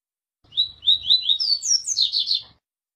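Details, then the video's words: Double-collared seedeater singing a tui-tui style song used for training birds: a run of clear whistled notes, about eight phrases, slurring downward and stepping higher toward the end, then a quick buzzy flourish, in a quiet setting. "PAPA CAPIM TUI TUI PARA ENCARTE"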